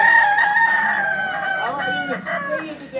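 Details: Endemic Solok chicken, the Kukuak Balenggek of West Sumatra. A sustained crow glides gently downward, then breaks into short bent notes near the end while another bird calls faintly behind.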